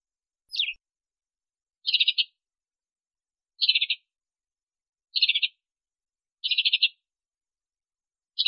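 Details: Sparrow in Africa giving short, clipped chirps, each a quick burst of several notes, repeated about every one and a half seconds against a silent background.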